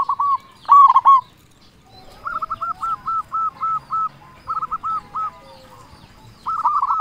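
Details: Zebra dove, a loud local songster used to lure other zebra doves, giving rolling coo bursts followed by a long steady series of evenly spaced looping notes, then another rolling phrase.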